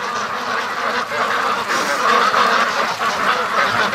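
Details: A large flock of free-range ducks streaming to the lake; a dense, continuous chorus of overlapping quacks with no single bird standing out, steady and busy throughout.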